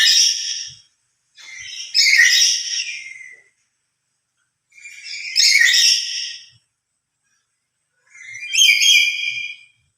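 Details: Lory calling loudly out of emotion, a voice said to be stronger when the bird is alone: harsh, buzzy screeches in irregular bursts about every three seconds, each with many stacked harmonics, silence between.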